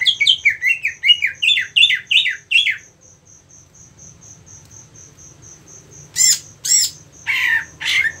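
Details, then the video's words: 4 "Mental tarung cucak ijo anda akan terlatih dengan video cucak ijo fighter ini"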